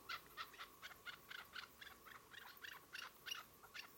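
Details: Chukar partridges at Xalon, giving a faint, distant series of hoarse, clucking chuk notes, about three per second, in an uneven, continuous rhythm.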